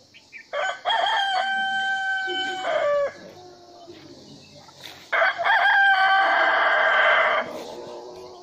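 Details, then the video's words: A rooster crows twice in a row, each crow about two seconds long with a stuttered start and a long even harmonic note, separated by a few seconds of low murmuring background. "Murga Ku Ku Song-murga dance-Murga ki awaz-rooster crowing"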